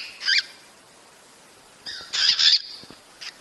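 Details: Cockatiel calling to stimulate mating: one short grating call, then a louder, longer raspy screech a second and a half later, and a brief faint note at the end.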